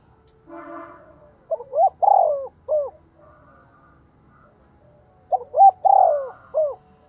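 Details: Decoy spotted dove cooing to stir rival doves into answering: two phrases of mellow hooting notes, a short note, a long swelling coo and a clipped final note, preceded by faint background chatter.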